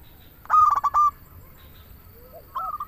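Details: Local zebra dove singing, meant to lure doves and stir them into song: one loud rolling cooing burst with quick stuttered notes, then a soft low coo and a fainter rolling phrase.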